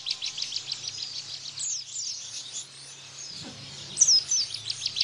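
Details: Bar-winged prinia in its 'tembakan ciblek bren' burst style of song, played as a tutor for caged white-eyes. Rapid runs of high, sharp chips repeat in quick series, with overlapping thin whistled notes from other birds and a faint low steady hum.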